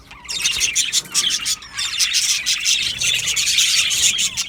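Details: Aviary of budgerigars chirping, a lively stream of high tweets and squeaky warbled notes from many birds, rising in loudness toward the end.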